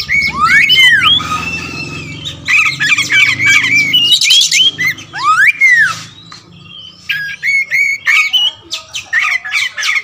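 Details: All-black kacer wulung, a magpie-robin prized for its large song repertoire, delivering dense chattering phrases, arched whistled slurs and staccato high notes in quick succession, with a low hum beneath the opening seconds.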